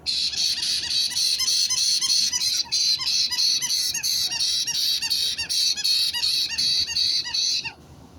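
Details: White-bellied caique parrots giving a continuous run of harsh, buzzy, high screeching calls, rapidly repeated about three per second for nearly eight seconds, then stopping.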